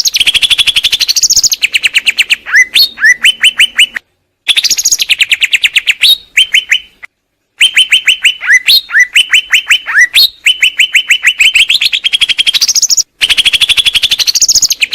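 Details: Greater green leafbird song: rapid runs of sharp repeated chirps near one pitch, broken by brief rising whistled flourishes and short silent gaps, loud and continuous throughout.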